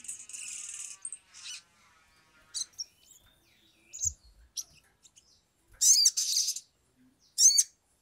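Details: Sumatran leafbird (sogok ontong), agitated and in full voice, used as a lure to make other birds sing quickly: high, varied chattering phrases, buzzy bursts and sharp zigzag notes separated by short pauses, with faint hiss between phrases.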